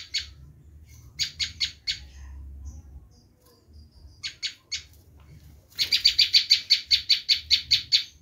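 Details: Bar-winged prinia screaming call, used to lure wild prinias: scattered groups of buzzy chips, then a rapid, even burst of loud grating notes at the end.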